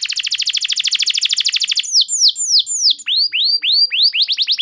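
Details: Canary singing a long training lure song; a rapid even trill of many short notes, then slower downslurred whistles and deep swooping notes, ending in quick sweeps.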